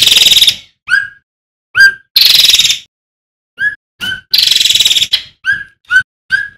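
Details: Male striated swallow singing strongly: long harsh, buzzy rasps alternate with short, clear downslurred whistles delivered in irregular groups.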